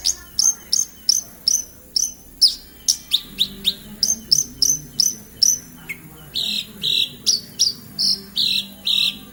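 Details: Javan bush lark in Kediri delivering rapid song: evenly spaced, bright high chirps about three per second, shifting later to slightly longer, lower buzzy notes, with a faint low hum behind.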